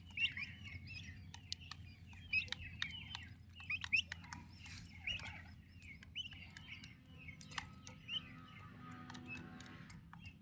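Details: Young turkey chicks cared for by their mother give bright, short chirps in quick clusters, roughly every one to two seconds. Sharp clicks and taps are scattered throughout over a faint low hum.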